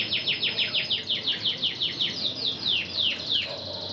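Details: Red intensive canary breeding hen trained in Spanish Timbrado song, delivering a fast series of bright, high descending notes, about three per second, steady and metallic, with a brief pause near the end.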